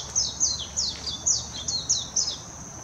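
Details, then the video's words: Singing warbling white-eye in Hashimoto, Wakayama, Japan, June 26 2021, Nikon Coolpix P900: seven or eight crisp, sharply descending high chirps in quick succession, evenly spaced, over a faint continuous high-pitched drone. "メジロ さえずり 姿 鳴き声 warbling white-eye song"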